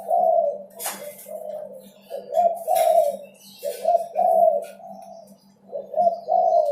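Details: Busy singing spotted dove, kept as a training sound to make birds sing more: a series of hollow cooing phrases with short pauses, a few sharp clicks in between, and a low steady hum.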